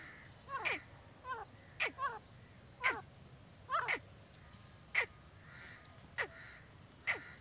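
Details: Female grey francolin, known as Dakhni teetari, giving a series of loud, harsh, steeply falling notes, some doubled or stuttered, repeated irregularly about every second, with a soft steady background hiss.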